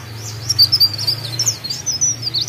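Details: Mountain leaf warbler in lively song, giving a quick run of high, thin, wavering whistled notes that rise and fall, over a constant low hum.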